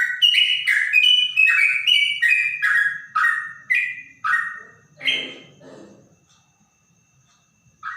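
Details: Trotok bird with a clear voice said to resemble a straw-headed bulbul, singing rich whistled phrases that slide downward, repeated roughly twice a second for five seconds, then fading into quiet with one last short note.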